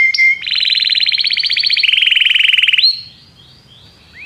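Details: A Belgian canary sings a brief flat whistle followed by a long fast buzzy trill that drops to a lower steady trill, then faint rising notes and a closing upswept whistle.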